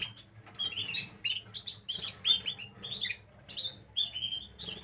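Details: Gloster canary twittering, 9 January 2023: short chirped phrases repeated irregularly about every second or two, some clear whistled notes among busy overlapping chirps, low hum in the background.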